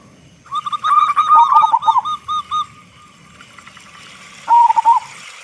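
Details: Vigorous local zebra dove, big-voiced, sung to make other zebra doves start calling; a quick string of cooing notes fading into spaced single coos, then a short closing phrase.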